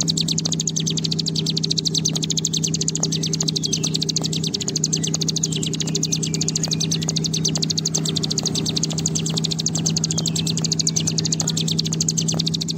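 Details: Bar-winged prinia (ciblek gunung) delivering a long ngebren song, a recording meant to stimulate kept birds: fast, continuous, high buzzy chatter of rapid repeated pulses over a steady low mechanical hum.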